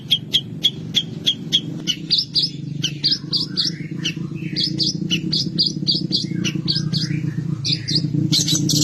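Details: Long-tailed shrike (cendet) singing a full mimicry song, copying other birds: sharp high chips repeated about four times a second, then a dense run of varied chattering and whistled notes over a steady low hum.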